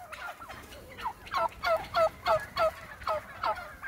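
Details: Wild turkeys leaving their roost in the morning on a property: a loud run of rapid, throaty yelping notes, about three per second, each dropping in pitch, rising in strength through the series.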